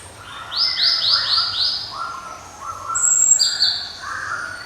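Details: Java sparrow singing with a ringing, unmatched voice: a row of short, bright, slurred high notes in a quick series, then lower drawn-out notes and a thin high whistle, with quiet background noise.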